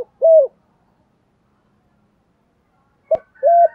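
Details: Spotted dove, sound used to train decoy birds to coo: a single low mellow coo, a long silence, then a click and two more short coos.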